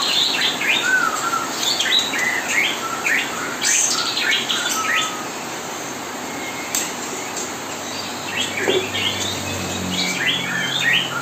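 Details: Mastering song of kapas tembak played day and night beside young white-rumped shama being hand-fed; rapid clusters of sharp high chirps and short whistles, quieter gaps, then more chirping, with faint low hum late on.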